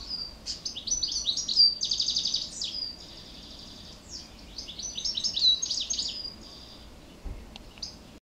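A goldfinch sings two quick, high phrases of tinkling twitters and buzzy trills, each lasting a few seconds, with a brief pause between them.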